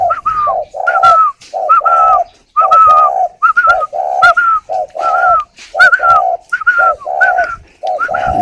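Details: Spotted dove held at a bird garden in Ba Vi, Hanoi, Vietnam, cooing as it incubates its eggs: a steady run of deep, hollow paired coos, each with a clear upper tone, about once a second, with light clicks.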